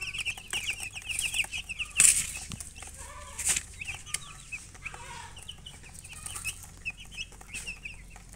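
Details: Young chicks of a colored domestic chicken brood peeping: rapid runs of thin, high chirps, some in fast strings, with a sharp click and a few louder rustles early on.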